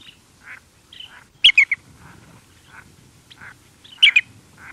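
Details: Lesser Yellowlegs at Lago Pozuelos gives close-up contact calls: sharp, whistled tu-tu-tu notes in two quick bursts, with fainter calls from other birds at mid-distance and slight wind in the background.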